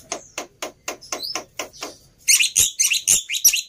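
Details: Black-winged myna song used to provoke birds into singing: a series of harsh broadband chirps roughly every quarter second, then a louder, denser burst of high shrill notes and whistles in the last second and a half.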